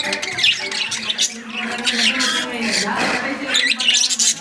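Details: A pair of lovebirds chatter with harsh, high squawks and shrill chirps in a busy, overlapping stream, with a faint voice in the background.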